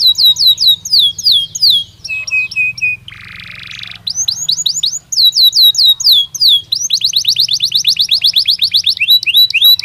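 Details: Belgian canary song, varied and lively: clusters of sharp chirps, a short harsh buzzy burst, further twittering phrases, and a long fast run of downward-slurred notes near the end.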